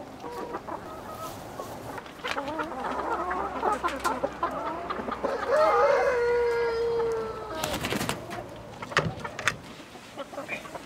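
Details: Chickens in a village soundscape: a jumble of clucks builds into a loud, long, slightly falling tonal call around the middle, followed by sharp clatter and more scattered clucks.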